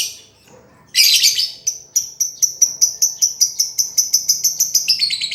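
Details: Lovebird song for teaching a lovebird that stopped singing: one loud raspy burst, then a steady run of sharp metallic ticks, about four per second, lasting several seconds.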